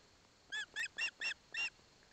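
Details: Begging osprey chick at a Barlinek Forest nest in Poland, receiving fish from its father with its mother beside it: five rich, harmonic, slightly nasal calls in a quick even series, the last one longer.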